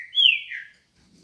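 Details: Green-winged saltator in the morning giving a single loud whistled note that rises sharply, then slurs down and fades after about half a second, on an otherwise quiet background.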